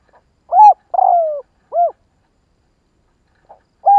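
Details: Spotted dove, kích bổi recording for stimulating doves. A full three-note coo phrase of level, falling and arched notes, a pause of nearly two seconds, then the next phrase begins. Silent background.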